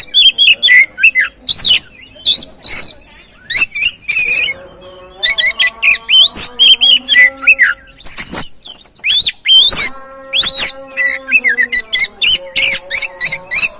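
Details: Long oriental magpie-robin sequence used to spur another bird to sing: a near-continuous stream of loud high whistles, slurred sweeps and harsh notes in quick bursts, with faint steady tones below.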